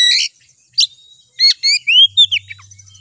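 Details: Oriental magpie-robin (kacer) song used as a lure to rouse kacer; harsh buzzy note, then a few clear whistled slurs rising and falling, ending in short chirps, with a low hum underneath.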